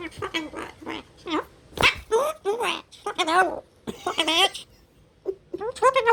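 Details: A rescued, hand-raised long-billed corella, once hit by a car, "swearing" at the household cat indoors: a rapid run of high, nasal, word-like phrases that rise and fall, with brief pauses between bursts.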